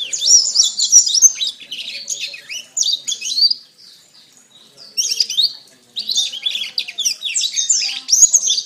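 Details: Canary masteran for training songbirds: fast, high, twittering trills for nearly four seconds, a two-second quiet gap with faint notes, then the dense warble resumes with bright slurred chirps.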